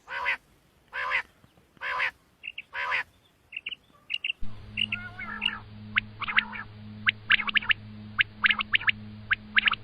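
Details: Batair, the common quail: loud rasping bursts repeated about once a second, then thin high notes, followed by scattered sharp chirps over a steady background hum.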